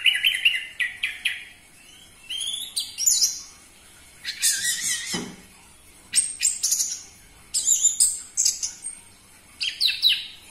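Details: Loud Orange-headed thrush song meant to stimulate captive birds: varied whistled phrases and sharp high notes delivered in bursts separated by short silences, with a brief low thump midway.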